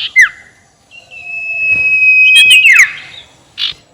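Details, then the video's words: Ngekek call of a sirtu (ashy tailorbird), used to make rivals angry: a short sharp falling note, then a long thin level whistle ending in a twisting downward flourish, followed by a soft hissy burst. "SUARA NGEKEK SIRTU BIKIN LAWAN EMOSI || PANCINGAN SUARA BURUNG SIRTU"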